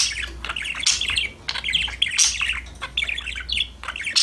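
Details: Lively budgie chatter: rapid scratchy chirps and sharp squeaky notes tumble out in short phrases, with a few louder shrill squawks, as the parakeets sing and talk together.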